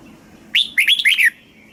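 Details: Red-whiskered bulbul in southern master style, from Thailand, for stimulating caged birds and teaching young birds: one clear phrase of a rising whistle followed by three quick slurred notes, sweet and fluty.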